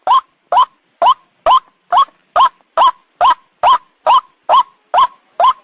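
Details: White-breasted waterhen giving its ruak ruak call, used by bird catchers as a lure: a regular run of about thirteen loud, croaking, upslurred notes, a little over two per second.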